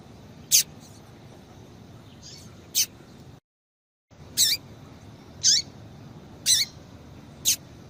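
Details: A female double-collared seedeater gives calls to excite a male: single crisp, high-pitched chirps with a short falling tail, roughly one per second, broken by a brief silent cut midway.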